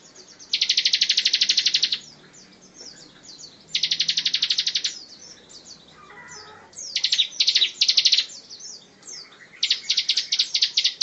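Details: Tembakan rapat song of a Bar-winged prinia used to tutor songbirds like shamas and leafbirds: several extended high machine-gun trills of tight pulses, separated by brief chattering downslurs.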